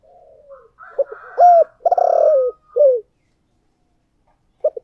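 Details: Decoy spotted dove in 'giọng thổ' voice: a faint low coo, then a burst of strong, hoarse, falling coos packed close together, ending in a short isolated note after a pause.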